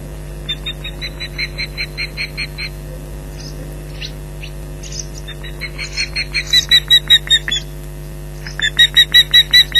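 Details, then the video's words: Ospreys at the Loch Garten nest raising the alarm at an intruder, 15 July 2011, late morning. Intermittent runs of thin, sharp yelps, some fainter, others louder and faster toward the end, over a steady hum. "Loch Garten Ospreys 2011 July 15th 11:03 - Intruder Alert"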